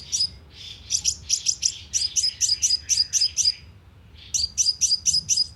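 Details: Lure call of a sunbird, used with a loudspeaker trap to stir up birds: bursts of high, sharp tweets at about four per second, a brief silence, then the chattering run again.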